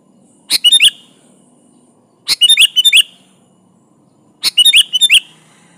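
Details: Energetic Sooty-headed bulbul song used to call out a rival: three bursts of rapid clicking chirps ending in clear upward slurs, repeated about every two seconds.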